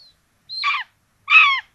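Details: At a Hungarian nest in Tiszalök on 26 June 2022, common buzzards feeding two chicks rabbit for breakfast; two separate hoarse, rasping calls about three-quarters of a second apart, the first opening with a thin high whistle.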